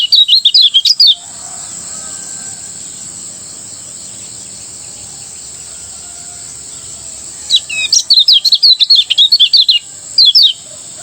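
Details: Morning ngejos song of a Lombok lemon-bellied white-eye: two bursts of rapid, high, twittering chirps, one at the start and one near the end, separated by about six seconds of quiet hum.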